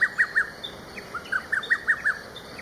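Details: Lesser cuckoo on a local river floodplain in the early morning, calling loudly from afar, recorded handheld: a rapid run of about nine clear whistled notes, the middle ones dipping lower before rising again, against steady low hiss.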